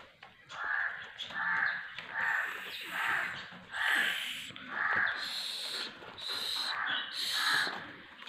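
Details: Black francolin calling: a steady run of harsh, broad, rasping notes repeated about every 0.6 seconds. Higher, brighter grating tones join the later notes.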